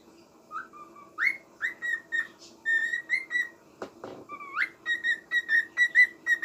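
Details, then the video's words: Small pet parrot singing indoors: a run of clear whistled notes near one pitch with bright overtones, some notes sliding upward, delivered in quick succession about twice a second, with a brief low knock midway. "Little parrot is singing for me!!"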